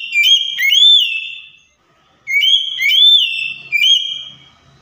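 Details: Oriental magpie-robin lure song aimed at a silent bird: two loud phrases of clear, rising and falling whistles about two seconds apart, with a short extra whistle at the close.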